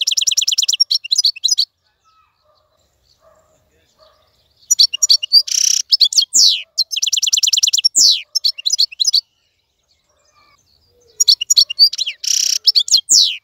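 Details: Caged wild-caught European goldfinch singing in a clean voice, three phrases of fast, high, metallic trills and buzzy rasping notes separated by silent gaps of a few seconds.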